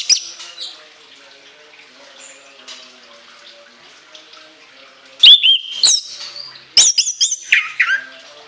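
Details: Long quiet, faintly twittering lead-in, then an orange-headed thrush fires off two loud shrill bursts of whistled, sliding notes, part of a long, varied song.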